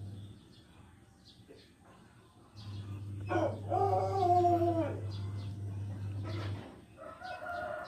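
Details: Pelung chicken, an ornamental Indonesian breed kept for its distinctive voice rather than fighting, gives a short harmonic crow lasting under two seconds, with a low steady electrical hum running beneath it.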